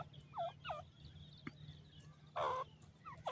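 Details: Pheasant chicks in a forest responding to a call: two soft downslurred peeps, a louder rasping note, then more faint peeps against constant low hum.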